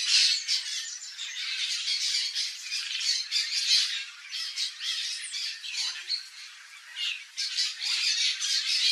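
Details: Turquoise-fronted parrot, known in Brazil as papagaio-verdadeiro, wild in its natural habitat: a steady stream of harsh, grating squawks, loud and overlapping, with brief dips between bursts over nine seconds.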